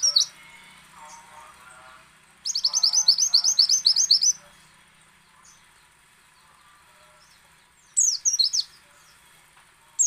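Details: White-eye singing in the ngecal, ngalas and nembak styles, used to coax other white-eyes into song: a long burst of rapid, high, twittering notes repeated about four per second, with a shorter burst later and quieter lower chirps between.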